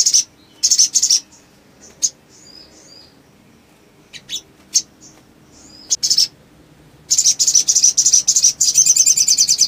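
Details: Male sogon (sunbird) calling to stir other sogon into singing. Dense bursts of high chirps alternate with sparse, thin whistled notes, ending in a long, fast rattle of repeated notes.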